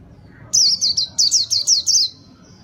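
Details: Lure song of a white-eye, locally pleci: a short, lively burst of about seven high, slurred chirps in quick succession, clear and sweet over a quiet background.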